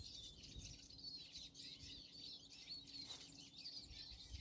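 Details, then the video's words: In snow on a January day in 2024, a European robin delivers soft, high, fluid warbling phrases, continuous and wavering, with a faint low hum and a brief click near three seconds. "Rotkehlchen Tixi-2 im Schnee"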